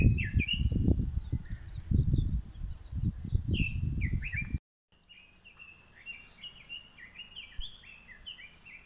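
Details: An unseen blue-and-white flycatcher sings among white-blossoming Japanese ash and bird cherry in spring: clear, sweet whistled phrases sliding up and down, repeated in quick series; strong low wind or handling rumble covers the first half.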